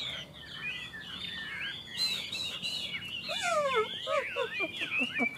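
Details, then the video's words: Two caged Chinese hwamei singing against each other in a contest; varied whistled phrases with sliding notes, turning to a run of sharp descending slurs in the second half, with faint background noise. "Họa mi hót đấu"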